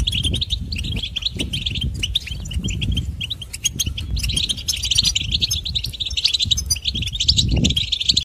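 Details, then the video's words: Goldfinch song: a continuous, rapid run of bright, tinkling twitters and chirps, high-pitched, with a steady low rumble of background noise underneath. "Goldfinch: A Bird of Beauty and Song"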